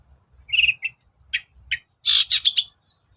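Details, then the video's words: Long-tailed shrike lure song: a buzzy, nasal note, then short harsh notes, ending in a loud, dense, grating chatter burst over a low background hum. "BURUNG CENDET GACOR || SUARA PIKAT CENDET SUSAH BUNYI"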